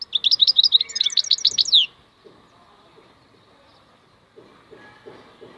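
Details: Khalwi song of the European goldfinch (maknine): a lively, high twittering burst with rapid trilled notes for about two seconds, then quiet with faint low knocks and rustling.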